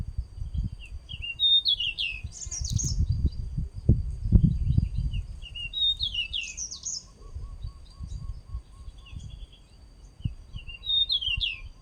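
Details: Male pied bushchat repeating a brief, high, scratchy, descending warbled phrase about every four seconds, three times. A thin steady high tone runs throughout, and low wind-like rumbles are heard.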